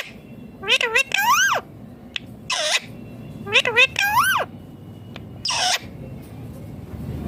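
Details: Talking green ringneck parrot repeating a speech-like phrase twice: stacked wavering tones climbing then dropping, followed by a harsh rasping syllable, against a constant low hum.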